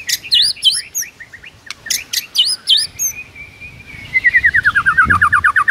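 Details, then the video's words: Rich fill-in song of a white-rumped shama in the morning: sharp chevron-shaped chirps and clicks, a long smooth whistle, then a fast even trill of about twenty repeated notes. "MURAI BATU GACOR ISIAN MEWAH"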